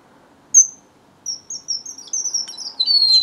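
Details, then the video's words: Strawberry finch singing a single high whistle, then a quickening series of thin, very high piping notes that run together and end in a drawn-out falling whistle. "BENGALI ROJO - STRAWBERRY FINCH SINGING"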